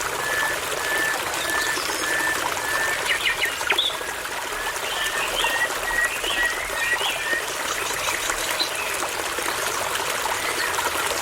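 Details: Common nightingale (Luscinia megarhynchos) singing in forest beside a babbling brook: short whistled notes repeated in quick series, broken by brief fluttery trills, half-masked by the steady rush of the stream.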